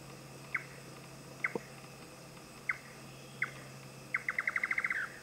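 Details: Indian nightjar calling in Thailand: four separate dry chuk notes spaced about a second apart, then a rapid accelerating run of around nine notes trailing off, with a low constant background hum.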